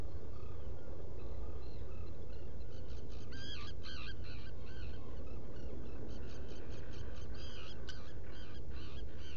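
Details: Black guillemots in a rock nest burrow at Seal Island NWR, Maine, on a burrow camera, 20 June 2018, early morning. Runs of thin, wavering, high harmonic notes come in two bursts over a steady low rumble.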